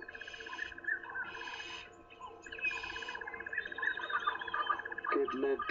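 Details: Burchell's starlings alarm calling in the morning at something unseen, perhaps a false alarm or a hoped-for snake: harsh, grating bursts in uneven runs over steady reedy chatter, other birds in the background.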